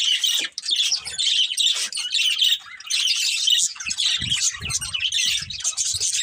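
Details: Family of budgies chattering: rapid high, raspy chirps and squawky warbling, one brief gap early on, with occasional low knocks and movement noises in the background.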